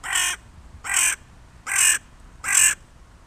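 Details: Crows use a person as a playground; one crow gives four loud, harsh caws in a steady series, about one every 0.75 seconds, each short and raspy, over faint background noise.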